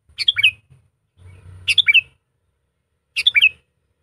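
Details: Sooty-headed bulbul, trained for decoy use and as a tutor for reluctant singers, repeats a short chortling phrase three times, roughly every one and a half seconds, over a soft low hum.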